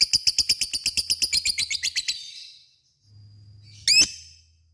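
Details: Lovebird ngekek song meant to provoke a response from rival lovebirds: a two-second run of quick, high, harsh chattering notes that fades out, then silence and a single sharp squeak.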